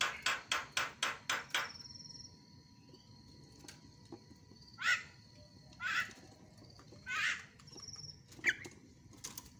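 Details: Javan myna calls used as a lure to provoke silent mynas into calling again: a rapid series of harsh broadband notes, then scattered rough squawks with thin whistles between.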